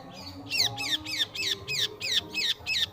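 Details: Long-tailed shrike repeating a loud, falling, slightly rasping whistled phrase about three times per second, evenly spaced, over a soft musical background.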